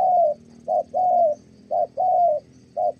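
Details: Kon Tum spotted dove, Vietnam, used in dove trapping, delivering Thổ-style coos: a short soft note leading into a longer smooth hoot, heard three times in quick succession.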